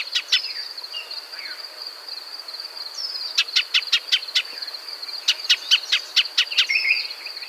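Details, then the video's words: In arid desert habitat, a Shining sunbird gives runs of sharp, dry chip notes in quick succession, with short pauses between runs and a constant shrill background tone. "Shining Sunbird’s Call"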